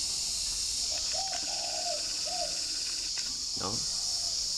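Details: Caged spotted dove kept near forest in Ba Vì district, Hanoi, Vietnam, answering a distant wild dove in the morning: low mellow coos, a short note then a longer drawn note and another short one, followed by a man speaking over steady background hiss.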